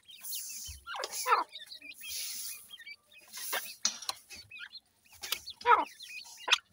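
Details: Grey francolin chicks at feeding, said to be afraid to eat. Short, high peeping chirps come in scattered clusters, broken by brief rustling bursts and quiet gaps.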